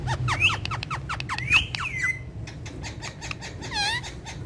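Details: Three pet parrots, said to talk and dance, perched indoors on a charpai, give a fast run of sharp rising squawks and squeaky chirps, then a harsher harmonic-rich screech near the end, over a low steady room hum.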